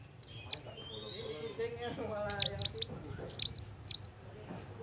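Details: Young forest scarlet minivet singing actively: bursts of sharp, high chirps in quick clusters of two to four, with a drawn-out whistle and murmuring human voices underneath.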